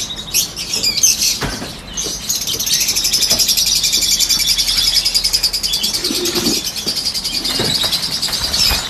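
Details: Captive peach-faced lovebirds, some yellow, in a group. Many birds chatter at once in a loud, rapid stream of high-pitched twittering and squeaks that swells and holds steady, with a brief low thump partway through.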